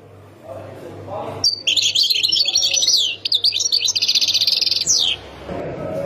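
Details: Singing European goldfinch from Khemis Miliana, Ain Defla: after a quiet start with faint low sounds, a three-and-a-half-second run of bright, tinkling twitters and quick buzzy trills, ending in a falling slur.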